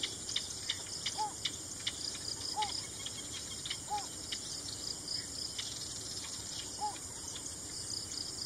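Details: Yellow bittern calling in the Philippines: a short, soft, mid-pitched arched note repeated about every one and a half seconds, with a pause before the last one. A constant high insect buzz and scattered clicks fill the background.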